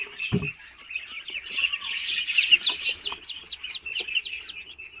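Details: Muscovy ducklings hatching in an incubator after 28 days; overlapping thin peeps build into a clear series of loud downslurred cheeps repeated roughly twice a second, after an early knock.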